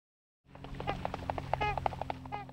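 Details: Trumpeter swans in Wisconsin wetlands, where the species was restored, give a quick series of short, nasal, horn-like honks, about four or five a second, over a steady low hum.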